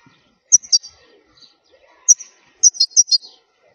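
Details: Wild European goldfinch, khalwi style, recorded as a flawless model for teaching young goldfinches to sing: sparse, very high, sharp paired notes, with short pauses between bursts, on an otherwise quiet background.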